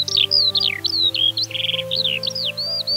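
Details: A captive Eurasian skylark kept at home pours out a fast, unbroken, silvery stream of high, chirping and trilling notes that rise and fall, over a faint steady low hum.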